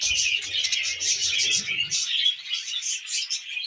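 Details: Pet budgies at their wheat germ twitter and warble in a dense, high-pitched jumble, with a faint low rumble under the first two seconds.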